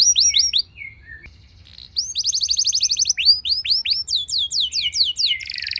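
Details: Canary song played to trigger other canaries into singing: several slurred whistles, a short pause, then a rapid steady trill followed by descending swept notes and a high buzzy ending.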